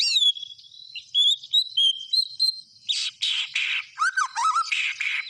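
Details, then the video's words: White-rumped shama (murai batu) in vigorous gacor singing: clear whistled notes sliding and held near one pitch, then harsher buzzy bursts and low rippling warbles, phrases tumbling quickly without pause. "SUARA BURUNG MURAI BATU GACOR"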